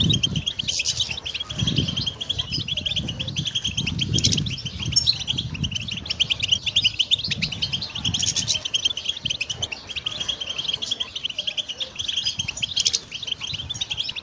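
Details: Pet European goldfinch singing a continuous, rapid, twittering song of dense high chirps and trills without pause, with occasional sharper bursts; soft low thumping sounds in the background.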